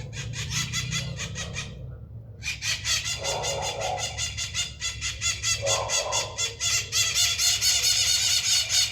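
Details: Maritaca, a parakeet, making noise: harsh, rapid screeching squawks repeated about twice a second, in loud dense bursts with short pauses, over a low steady rumble.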